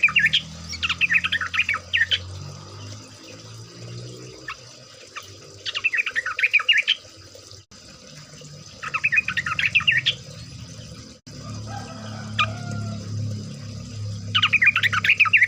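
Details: Sooty-headed bulbul (trucuk) in ropel style, used to prompt birds to sing; four bursts of fast, chattering, bubbly notes recurring every few seconds, with low rumble and hiss in between.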